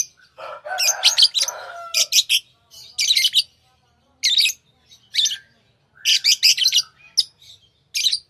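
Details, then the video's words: Lovebirds, tame pets, chirping: a lower, rough chatter at the start, then clusters of loud, raspy, high chirps in groups with brief gaps, in a quiet indoor setting. "Love birds Sounds | lovebirds chirping sounds"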